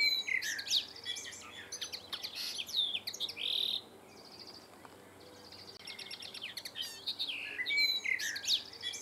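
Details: Male common linnet (Linaria cannabina) singing in town in July, perched on a slightly swaying wire fence: a rapid, varied twittering of high chirps, trills and short whistles in bursts with brief pauses.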